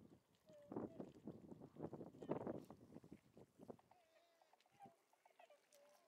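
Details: Tundra swans at Lake Biwa's western side, 27 February 2020: a brief hooted note early on, then quieter, drawn-out, wavering calls near the end, after a burst of loud low rumbling noise.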